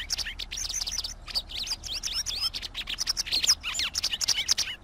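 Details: A white wagtail's song pours out as fast, sharp chirrups and swooping twittered notes, packed closely without real pauses for several seconds.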